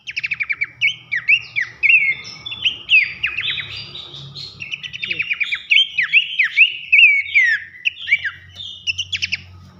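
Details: Loud 'nembak nyiul' masteran song of Horsfield's babbler, used to train contest birds: a dense, nonstop stream of varied sharp chirps, slurred whistles and rapid buzzy notes, roughly two phrases per second, with a faint low hum beneath.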